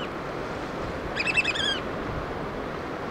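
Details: A single brief burst of rapid, high whistled piping from a black oystercatcher feeding chicks, set against a continuous wash of surf.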